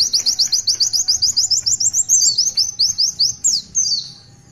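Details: Long tulitwitwit song of an Oriental white-eye, an unbroken train of quick, high, upslurred twitters at about two or three per second, ending in a falling squeaky note and fading.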